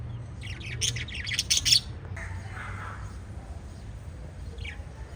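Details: Five pet lovebirds chirp in quick, shrill, squeaky bursts, then fall quiet apart from a soft low hum.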